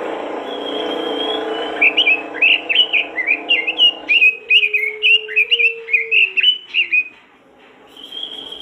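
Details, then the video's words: Robin singing energetically to encourage other robins: a low humming tone at first, then a loud rapid sequence of high chirped notes about three per second, ending in a thin drawn-out whistle. "masteran burung robin gacor dor,bikin robin lain ikutan gacor"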